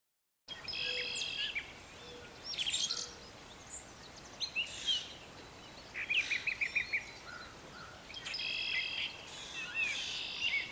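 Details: Brown thrasher singing in a garden in spring, when its return marks planting time. Varied bursts of harsh, buzzy and chirpy phrases separated by short pauses, with some phrases quickly repeated. Faint background hiss.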